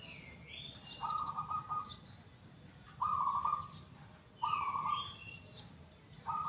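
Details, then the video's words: Local zebra dove in full voice, with a big, loud, clear 'kung' voice: rolling, trilled coo phrases, each under a second, repeated every one and a half to two seconds, with faint higher chirps from other birds and low background rumble. "PERKUTUT LOKAL GACOR SUARA KUNG BESAR YANG KERAS & JERNIH"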